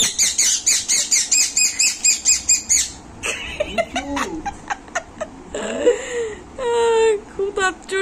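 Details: Young pet Indian ringneck parrot scolding angrily: a rapid run of about a dozen harsh, rasping squawks over nearly three seconds, then scattered clicks, bending whistled notes and a longer buzzy squawk indoors.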